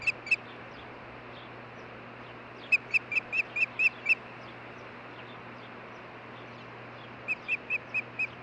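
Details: Osprey pair talking together at their nest in Hellgate Canyon, Missoula, Montana, on June 14, 2015. Short, sharp whistled chirps come in quick bursts: two at the start, six around three seconds, then six more near the end, over a steady low hum.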